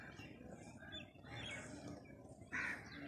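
A crow gives a few harsh, nasal caws, the loudest near the end, over a steady background hum.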